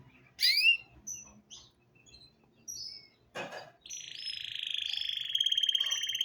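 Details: Belgian canary singing in the morning: scattered high chirps and short whistled notes, a brief burst of noise, then a long, steady, rolling trill lasting over two seconds.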